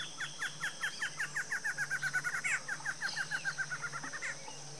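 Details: A male and female pair of barred antshrikes in Brazil duet in a fast, accelerating series of nasal, chuckling notes that run together and end in a flourish, over a steady insect drone.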